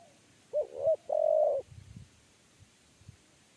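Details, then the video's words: A single 'kuk 3' phrase from a spotted dove being lured into a trap cage: two low, rounded coos, then a long, steady coo. Dull low thumps and rustles follow afterwards. "TEKUKUR KUK 3"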